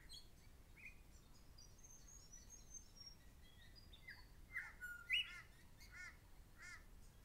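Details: Grey shrike-thrush giving an alarm call at a person too close to its nest, dated 10 Oct 12; sharp, clear notes near the middle, strongest around five seconds, then two arched, ringing calls, with softer chirps and faint background hiss.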